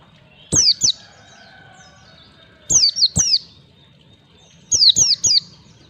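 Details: White-eye (pleci) song used as a lure to teach young birds 'ngalas' singing in 1, 2, 3 beats: high, piercing downward-sliding whistles in a pair, then a pair, then a triplet, with a faint low drawn-out call in between.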